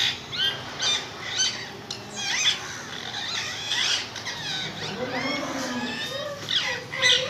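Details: Parrot calling with a run of harsh, sweeping squawks and squeals, bright and high, some sliding up and down in pitch, coming in bursts across the whole recording.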